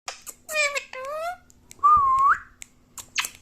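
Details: Pet parrot kept indoors and said to speak the words "Mummy Papa", giving squeaky speech-like syllables, then a single clear rising whistle, with a few sharp clicks in a small room.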